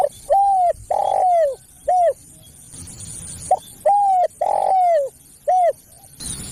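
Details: Spotted dove calling, a recording used to lure other doves: two phrases of short coo, long drawn falling coo and a clipped final note, separated by a quiet gap; faint high hiss throughout.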